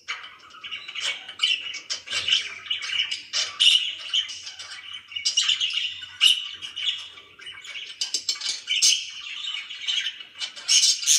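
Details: Budgerigar as a household pet, warbling at length: continuous rasping chatter packed with quick chirps and occasional sharp squeaks.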